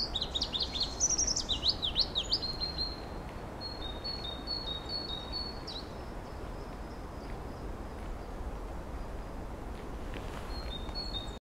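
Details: Pallas's leaf warbler (Phylloscopus proregulus) at Laren, Netherlands, on 31 March 2012 gives a quick burst of very high, sliding twittered notes, then short thin notes in repeated clusters, over a steady rushing background noise.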